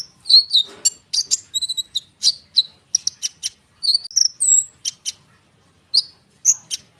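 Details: Konin bird singing lively and rolling, used as a lure to prompt small birds to respond: bursts of high, sharp chirps and short whistled notes in quick irregular clusters with brief pauses, in a quiet setting.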